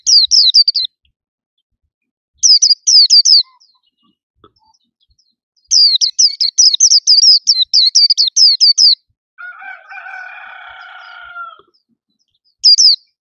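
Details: Caged white-eye, steady and glossy-plumaged, singing with a bright voice: several bursts of quick high twittering, a long rapid chattering run, a lower drawn-out harmonic sound, then a final short burst.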